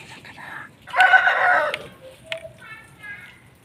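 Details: Aseel rooster gives a brief strained crow under a second long, with faint voices and a few sharp clicks and chirps around it.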